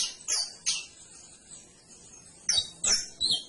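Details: Canary voicing two high sliding notes, a two-second pause, then three more sharp chirps with thin whistled tails.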